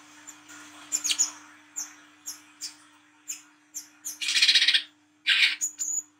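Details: Olive-backed sunbird recorded at night as a lure: a series of thin high chips and short whistles speeding up, then harsh buzzy bursts and a final high whistled note, over faint background hiss and hum.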